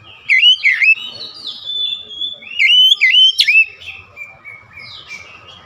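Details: Oriental magpie-robin (kacer) song, recorded to stir up emotion in other kacer: loud whistled phrases with sweeping up-and-down slurs, a sharp high note near the middle, then softer trailing whistles over a faint low background hum.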